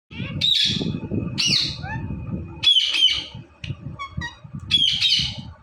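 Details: Indian ringneck parrot, filmed talking and dancing, gives sharp high screeching squawks in uneven bursts with a whistled note between, over a steady low background rumble.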